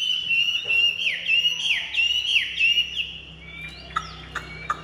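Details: Large, white-winged Chinese hwamei, a cage bird, delivering a string of falling, hooked whistles several times a second, then trailing off into sparse clicks and short notes over a quiet background hum.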